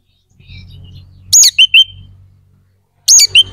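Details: Oriental magpie-robin, song used to provoke aggression and breeding drive in other birds of its kind: a harsh rasping burst followed by two short clear whistles, then another rasp and whistle after a pause.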